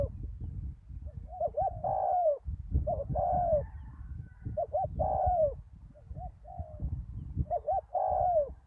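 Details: Spotted dove working as a decoy on a dirt arena after a storm, repeating its coo phrase about four times, each with quick looped notes leading into a long falling coo, over low background rumble.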